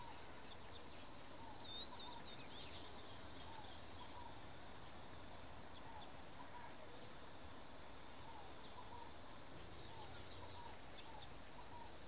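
Sayaca tanager singing thin, squeaky, high-pitched twittering phrases in bursts every second or two, over a steady high insect drone.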